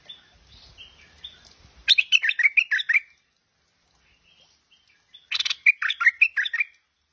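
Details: Tame Stripe-throated Bulbul giving two bubbly warbled phrases about three seconds apart, each a rapid string of some eight liquid notes lasting roughly a second, with faint soft whistles and a low rumble before the first phrase.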